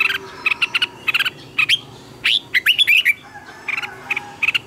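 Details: Red-whiskered bulbul morning song for training birds. A dense, lively flow of chirps and looping whistles rises and falls, with quick doubled notes and twisting slurs packed closely together throughout.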